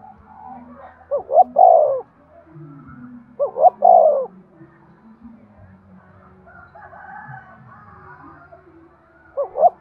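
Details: Cooing of a spotted dove played to spur breeding: two complete phrases, each of short paired notes and a long soft falling coo, roughly two seconds apart, then a pause and a new phrase starting; low steady hum behind.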